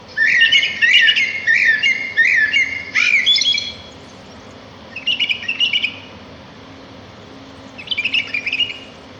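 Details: Sparrow song outdoors in nature: a burst of quick, repeated chirps for about four seconds, then two shorter twittering phrases after pauses, all high and sharp.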